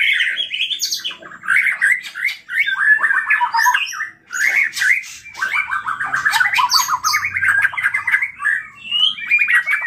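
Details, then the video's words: Loud white-rumped shama song, the bird agitated and singing on and on, used to provoke other shamas: a long jumble of quick whistled and rasping phrases with sharp clicks, varied throughout and barely pausing over about ten seconds. "PANCINGAN MURAI BATU GACOR EMOSI SEKALI DENGAR BONGKAR ISIAN"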